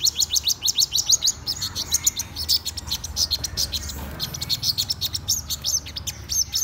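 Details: Black-throated sunbird singing in the morning: a rapid run of very high, thin, sweeping notes repeated in quick series, with steady low hum underneath.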